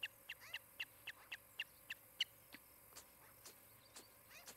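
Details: An osprey at a nest near Charlo, Montana, on 23 July 2018 between about 10:35 and 11:35, gives a quick run of sharp, high whistled chirps, about four per second, then fades to a few fainter, scattered notes.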